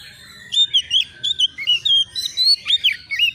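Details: Agitated young white-rumped shama answering a rival pours out quick whistled phrases with rising and falling slurs and a few sharp upward sweeps, notes packed closely together.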